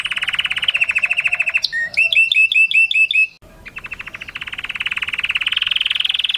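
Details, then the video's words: Male canary song meant to excite breeding birds: a steady mid-pitched rolling trill, a burst of repeated sharp chirps, a brief pause, then the trill returns and climbs slightly. "تغريد كناري موشتي قوي وممتع"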